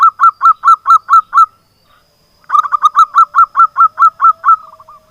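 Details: Zebra dove of a local strain in lively song, played as a lure to prompt silent doves to sing: two quick runs of even, bubbling coos, the second longer and ending in softer trailing notes.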